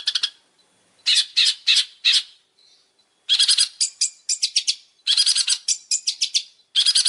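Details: Champion Long-tailed shrike master song for training: groups of loud harsh rasping notes separated by brief pauses, with quicker sharp chips mixed in. Quiet background.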